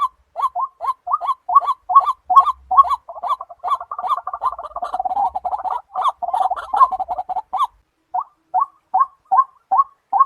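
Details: White-breasted waterhen, known locally as tikling or kalapini bird, giving short croaking notes about two per second. Midway they merge into a dense, overlapping chattering burst, then return to evenly spaced single calls.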